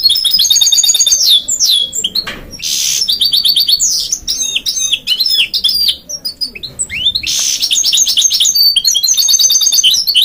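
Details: A male goldfinch-canary mule sings a fast, twittering song of bright, high trills and chirps.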